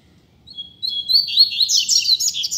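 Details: Double-collared seedeater flying free in a street delivers a tutor phrase: a soft opening whistle, then a fast, loud cascade of high chirps and slurred trills that keeps going to the end.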